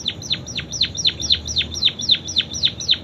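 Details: Munia giving canary-imitation song as a regular string of about eleven loud downward-swooping whistled notes, roughly four per second, over a faint low hum.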